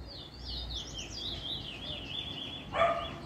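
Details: First black Trinidad bullfinch picking a nice form, 10/10/20: a run of high, wavering whistled notes gliding down in steps, ended by a sudden harsh bark-like burst.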